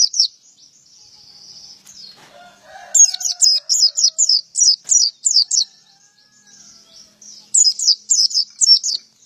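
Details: Male white-eye giving a thin high trill, then long runs of rapid piercing chirps in two bursts; a brief lower warbling sound is heard early on.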